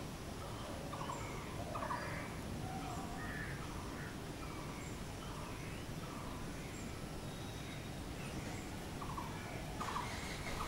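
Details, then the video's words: Blue-throated barbet calling in a quiet, steady background hum: a few short, rolling trilled notes near the start and again near the end, separated by a long pause with faint scattered calls of other birds. "BLUE THROATED BARBET | BOSONTO BOURI"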